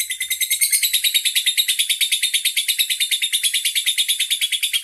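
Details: Lovebird from Bandar Lampung, Indonesia, showing off a long, sustained song; rapid, high, chattering chirps repeated about three times a second in an unbroken, even stream.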